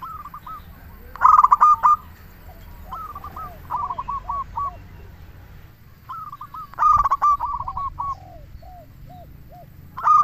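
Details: Local zebra dove song meant to lure others of its kind: strong bursts of fast, trilled cooing alternate with softer rippling phrases and separate drooping coos from neighbouring doves.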